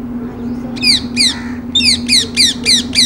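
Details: A rose-ringed parakeet gives loud, harsh, downward-sweeping screeches, two calls and then a quick run of five, about three or four a second, over a steady low hum.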